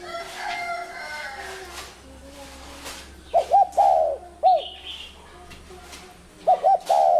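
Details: Spotted dove coos begin after a few seconds of other faint bird chirps. Quick stuttered double notes are each followed by a drawn-out, slightly falling coo, heard twice, with one brief single note between.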